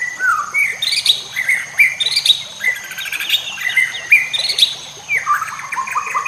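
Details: White-rumped shama training song with nature sounds and flowing water: softer, more distant whistled phrases repeated about every second, rising and falling, partly masked by a steady high hiss and water noise.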